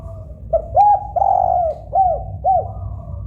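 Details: Spotted dove, a local bird, cooing a full phrase: faint lead note, an arched coo, a long level coo, then two short arched coos. Used as a favourite sound to set doves singing. Soft low rumble.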